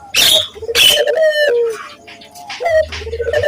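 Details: Local Barbary dove coo used to train doves: low rolling coos with sharp broadband bursts overlaid and a low hum.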